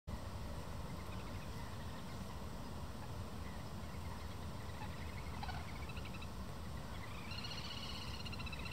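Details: Little grebes in the breeding season, agitated, chasing and confronting one another while calling loudly; near the end a high, rapid, rising trill with harmonics cuts through a constant loud low rumble of background noise.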